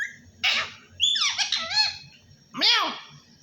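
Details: Pet parrot talking, mimicking the words "Allah Hoo": three bursts of hoarse, voice-like syllables, the middle one a run of sliding, wavering tones, the last a rising-then-falling squawky phrase, with a quiet low hum underneath.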